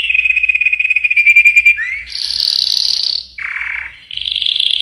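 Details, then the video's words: Singing yellow canary: a pulsed rolling trill, then a short upward slur into a dense high buzzy roll, a lower rattling tour and a bright trill, all loud and clear. "Chant canari jaune magnifique.Magnífico canto del canario amarillo. Muhteşem sarı kanarya şarkısı."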